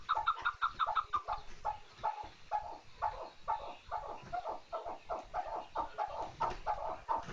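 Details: Chukar partridge with a run of quick, chuckling notes that starts fast, then settles into evenly spaced clucks of slightly varying pitch.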